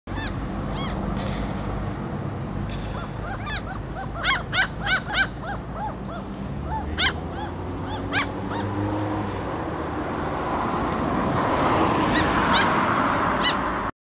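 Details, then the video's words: A ringed common gull foraging on a street in Helsinki, Finland, in June 2013, gives a run of nasal, mewing calls in quick succession over steady low traffic rumble. "Common Gull foraging and vocalizing"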